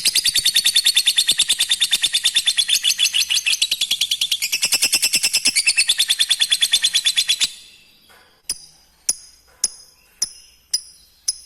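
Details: Lovebird calling to provoke young untrained birds into answering: a long burst of shrill, high chirps at roughly six per second lasting over seven seconds, then brief silence and six crisp single chirps about half a second apart.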